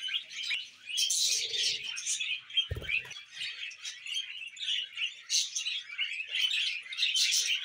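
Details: Budgerigars chattering in a dense, continuous warble of scratchy chirps and squeaky notes, with a brief low thump near the middle.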